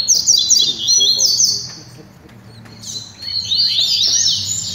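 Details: Double-collared seedeaters singing during a training session: bright, rapid, high whistled trills and slurred notes, a quieter gap around the midpoint, then another burst of sweeping chirps, over a low background hum.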